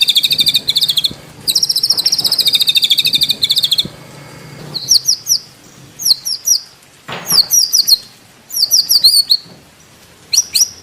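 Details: White-rumped shama (murai batu) training material from Indonesia, without coughing notes: fast high rattling trills, then clusters of sharp, rising and falling whistled notes with silent gaps between them.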